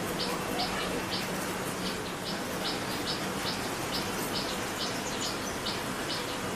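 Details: Common tailorbird, a resident of a backyard in West Bengal, India, giving a brisk run of sharp, high chirps, two or three each second, over a steady background hiss.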